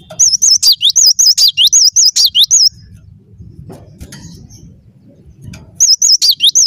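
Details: Cinereous tit (gelatik batu) singing gacor: a steady string of about twelve bright, swooping whistled notes, silence with low rumble, then the same looping phrase resumes.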